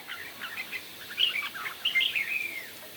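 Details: Morning competition singing of red-whiskered bulbul: a short run of quick, bubbly warbled notes ending in a clearer, slightly falling whistled phrase.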